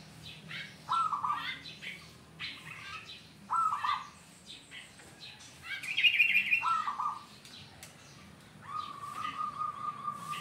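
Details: Lure song of a zebra dove for trapping wild zebra doves: clipped cooing notes repeated about every two and a half seconds, ending in a longer steady tone, with chirps and faint background noise.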